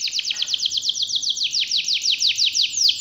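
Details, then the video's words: Canary performing its long rolling song: a series of clear, sharply falling whistled notes repeated roughly three times a second, bright and loud throughout. "Kenari malas dan macet bunyi langsung nyaut,seketika dengar suara kenari gacor ngerol panjang ini"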